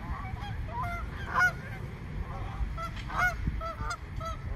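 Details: Frightened swans, a flock of over a hundred in a small park, call in clear nasal honks, some rising then falling, several birds overlapping in quick irregular bursts above low background rumble.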